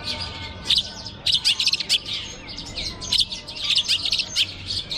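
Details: Long-tailed shrike singing on a hanging perch at a bird singing contest: bursts of sharp, chattering high notes in clustered phrases with short gaps, over steady background hum.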